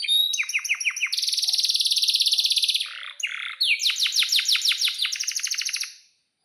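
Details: Canary singing a long, lively song: a burst of falling chirps opens into a sustained high buzzy trill, followed after a short break by a string of sweeping downward notes repeated rapidly.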